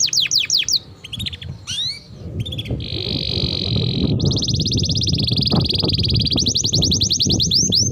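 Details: Canary song played to teach and draw out young canaries: rapid falling notes and chirps, a harsh buzzy roll, then a long fast trill over a steady low rumbling background.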